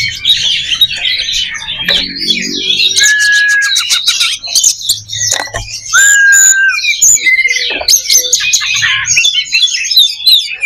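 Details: Oriental magpie-robin (kacer) song used as a fighting simulation to raise fighting spirit in kept songbirds: dense, high warbling phrases broken by long clear whistled notes, some falling and some level, with sharp clicks and chatter throughout.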